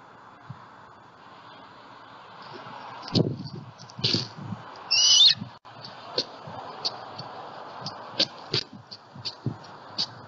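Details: Bald eagle eaglet on a Southwest Florida nest cam, 23 June 2020, squealing while jumping down from the nest to a spike extension: shrill high squeals and a run of short sharp chirps repeated about every half second, with rustling and thumps.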